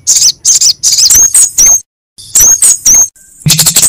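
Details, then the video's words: Lure recording of little spiderhunter and kemade song: loud, shrill, high twittering bursts with thin whistled slurs, broken by a brief silence, then more rapid chattering. "PANCINGAN SUARA SOGOK ONTONG & KEMADE GACOR"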